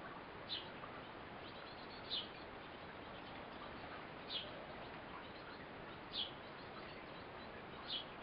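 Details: A mother Eurasian blue tit feeding her baby, with short, thin, high-pitched notes, five in all, roughly every two seconds, over a steady background hiss.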